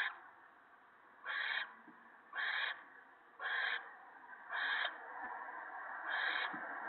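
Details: Owl nest, 28 March 2017, evening, with an adult tearing up a gopher for the owlets: loud raspy hiss bursts, five of them, about one second apart, over softer constant wheezing.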